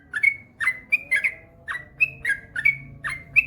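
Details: Yellow-vented bulbul (trucukan), a male in full song, repeats short bubbly phrases of two or three liquid, slurred whistles, each phrase rising at the end, roughly every half second.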